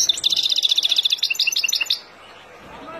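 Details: Wild European goldfinch song for schooling young birds: a nearly two-second rattle of very fast, bright, repeated chirps, abruptly stopping into quiet background hum.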